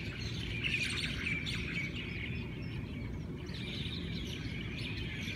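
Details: Morning chorus of Hawaiian birds: a crowd of high, rapid twittering notes and brief clear whistles, busiest at the start and again near the end, with constant low background rumble.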